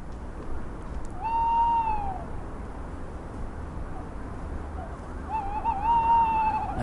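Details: Tawny owl in UK woods on a January evening gives two long, mellow 'ooh' territorial hoots, each about a second, swelling then slightly falling, about four seconds apart, over a low rumble, defending its territory from rivals.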